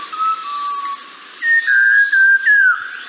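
Malabar Whistling Thrush song: clear, human-like whistles that slide and shift in pitch, flowing on without repeating, over a steady background hiss.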